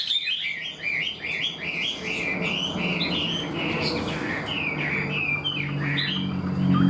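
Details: Chinese hwamei, caught wild and kept caged, quick to start singing in a structured, tame-bird manner: a steady series of looping whistled phrases repeated about twice per second, over a noticeable low rumbling background.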